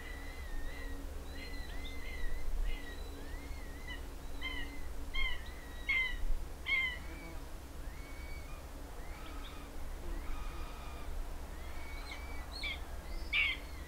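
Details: Common buzzard chick, after a parent brings it a lizard, giving thin, high, mewing notes, short slurred whistles repeated irregularly every second or so, over a steady low rumble.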